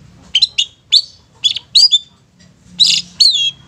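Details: Long-tailed shrike in the 'satu titik nagen tegak' style for luring young or wild shrikes: paired shrill, scratchy chips in short groups separated by brief gaps, ending in a longer harsh note with a falling tail.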